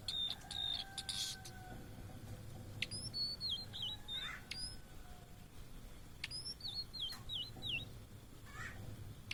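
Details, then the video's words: Migrant blue-and-white flycatcher in Indonesia delivering short groups of sweet, high whistles, several slurred downward in quick series, separated by pauses. Other birds chirp lower in the background, and a low rumbling noise persists throughout. "Tledekan Laut Gacor Plong (Cyanoptila Cyanomelana)"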